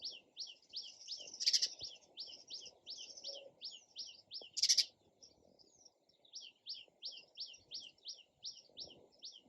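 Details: Sparrow giving a steady run of sharp, repeated descending chirps, interrupted twice by brief loud harsh bursts, over faint low background noise.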